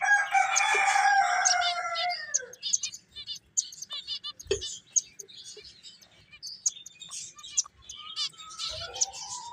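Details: Several finches playing, giving a busy chatter of short high chirps and twitters; a louder, harmonic warbling call in the first two seconds slides downward, then quick tweets follow at a fast, uneven pace.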